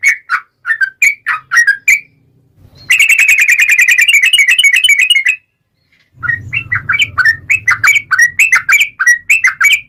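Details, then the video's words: Yellow-vented bulbul singing in long 'ropel' style: bubbly whistled notes, then a fast rolling trill of repeated bright notes, then more uneven whistled phrases over a faint low rumble. "KICAU SUARA trucukan gacor ROPEL panjang"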